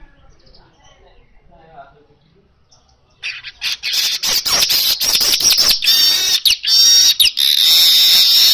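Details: Energetic natural song of an Asian golden weaver, used to prompt kacer birds to sing; near silence for three seconds, then a long, loud, continuous high wheezy buzz broken by short stuttering gaps.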